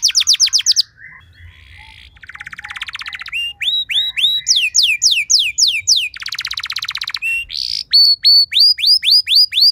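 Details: Canary singing an ornate 'cengkok mewah' song used as training material to spur other canaries into singing; rapid descending whistled notes, then a buzzy rattle, fast trills and a run of repeated downslurred whistles near the end.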